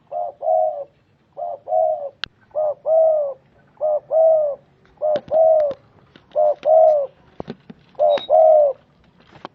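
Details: Tekukur, the spotted dove, cooing steadily in two-part phrases, a brief note followed by a fuller drawn-out coo, about eight phrases in a row with occasional clicks and taps in the background.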